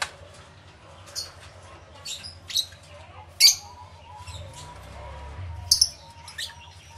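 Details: Lovebirds, many gathered in an aviary, give scattered piercing high chips and short squawks at irregular intervals, with faint lower tonal notes running beneath.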